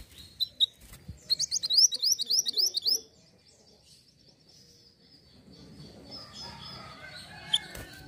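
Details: Hill blue flycatcher used to lure birds: a fast series of about eight high, rising slurred notes over roughly two seconds, with faint chirps before and quiet background afterward.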